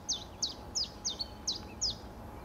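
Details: Chiffchaff delivering six quick, bright descending chips in an even rhythm, roughly three per second, with a soft constant hum underneath.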